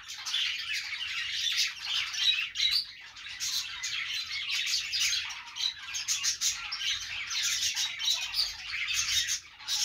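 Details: Many budgerigars warbling at once: a busy stream of chirrups, buzzy notes and squeaks that dips briefly in the middle and at the end before picking up again.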